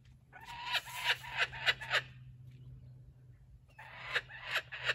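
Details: Laughing kookaburra in a sanctuary, guarding a stuffed toy taken from a joey. Two bouts of cackling notes with a quiet gap between, over a steady low indoor hum.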